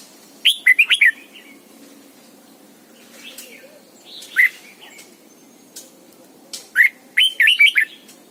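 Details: Red-whiskered bulbul kept as a lure bird, singing morning double-note forest-style song used in training: repeated loud bursts of quick warbled, rising-and-falling whistles, with lone notes and soft chatter between.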